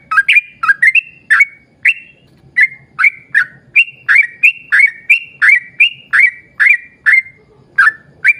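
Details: Long rapid song of a yellow-vented bulbul, used to coax other bulbuls into song: a near-continuous chain of clear rising and falling whistles, roughly two to three per second, over a soft hum.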